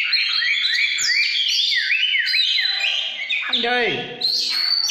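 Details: Oriental magpie-robin described as singing 'căn lửa' (fired-up): a loud, continuous run of rich whistled phrases with rising and falling slurs, quick trills and buzzy notes, plus one low, descending harmonic sweep near the end.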